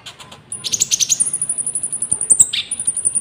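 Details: Common iora (konin) song used as a lure for trapping and for training caged birds: quick run of high chirped notes, a later downslurred whistle, and a steady shrill cricket-like tone running throughout.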